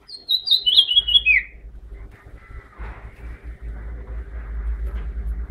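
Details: House finch phrase: a quick, descending twittered warble lasting about a second, followed by low rumbling background noise.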